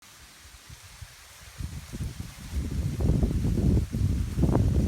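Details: Gusting wind and rustling leaves that grow louder, with low rumbling and buffeting and no animal call.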